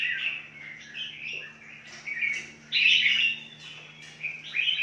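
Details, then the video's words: Red-whiskered bulbuls in a large breeding aviary: short bright chirping and warbled phrases that rise and fall, with a louder burst near the end, over a steady low hum. "MERBAH JAMBUL KUTILANG JAMBUL"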